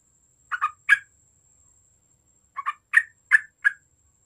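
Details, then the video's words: Vigorously singing yellow-vented bulbul, a recording meant to draw out group-style chattering song: short bubbly, gurgling note clusters in two bursts separated by a pause of about one and a half seconds, over a faint steady high whine. "TRUCUK GACOR AMPUH UNTUK EMANCING BUNYI TRUCUKAN OMBYOKAN"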